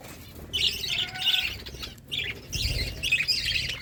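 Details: Budgies in a flock while eating: two stretches of dense, chattering warble broken by a short gap, over faint low rumbling.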